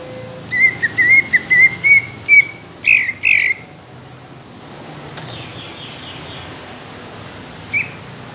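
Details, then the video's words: Greater green leafbird in the judge-targeted style of rough, thick bursts: a fast chain of warbled whistles and two harsh buzzy notes in the first seconds, then near quiet with one short whistle near the end. "CUCAK IJO INCARAN JURI | TEMBAKAN KASAR DAN TEBAL"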